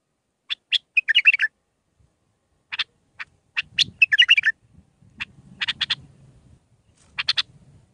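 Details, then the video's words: Bulbul song in Mandalawi style with six phrases, for training young birds. Sharp whistled chips alternate with quick warbled runs, over a low rumbling background hum. "للتخريج االمخاليف. مندلاوي ب6 لسانات طبك شدة ورد تكي حلو جيب ورد بنت الورد طياري"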